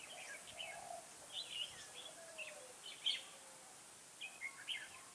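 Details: Decoy red-whiskered bulbul singing during a bird-trapping session outdoors, 13 August 2018: scattered short, sweet, chirpy whistled notes spaced over several seconds, with steady background hiss and faint other birds.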